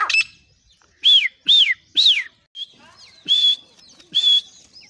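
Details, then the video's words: Caged grey francolin in Pakistan at the cage door: three arched, loud high notes in quick succession, a short pause, then two flatter shrill notes, with faint chirps around them. "teetar calling in door of cage"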